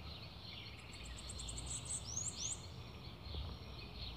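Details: Bananaquit (sibite) singing: a quick run of very high, thin ticking notes, then a few sharp, squeaky upslurred whistles, over a steady background of hiss and low hum.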